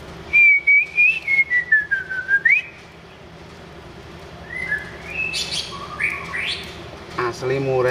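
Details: Wild white-rumped shama in energetic song: a long, wavering whistle that dips and then sweeps up, followed after a pause by a string of varied, quieter slurred phrases and high notes.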